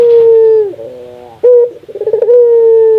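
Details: Local Indonesian Barbary dove cooing to prompt other doves to call. A long steady low coo drops off, followed by a short burst and a rolling, stuttering trill that runs into another sustained coo.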